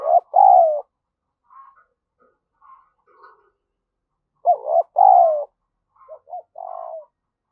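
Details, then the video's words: Spotted dove used as a lure, cooing to stimulate other doves: pairs of deep rounded coos, with softer short coos between, then a second series of loud coos and quieter trailing notes. "chim cu gáy mồi gáy thúc và gù"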